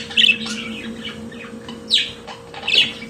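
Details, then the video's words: Pet budgerigar singing, here only a few sparse notes: a rasping chirp, a rising squawk and a final harsh note, spaced apart over a quiet humming background. "Periquito Australiano de Estimação Cantando Som de Pássaros de Periquitos Naturais"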